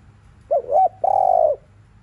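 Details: Afternoon 'thúc liu riu' coo of a spotted dove, meant to rouse other doves: short warbling two-note start followed by a long, level, resonant coo that tails off downward.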